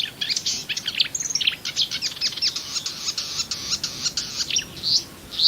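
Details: Marsh warbler in full song, a rapid, nonstop jumble of scratchy chirps, rattles and buzzes, with a couple of rising whistles at the end, its repertoire known to include other birds' imitations.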